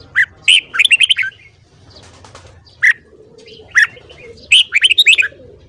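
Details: Red-whiskered bulbul, morning singing for training: rapid runs of five or six bright warbled notes, then lone sharp chirps, and a final lively phrase of tumbling notes over a quiet background.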